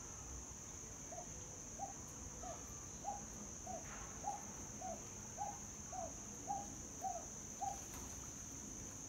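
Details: One of a pair of captive bush stone-curlews at the Australian Reptile Park gives about a dozen short, slightly rising mid-pitched notes, roughly two per second, over a steady high insect drone.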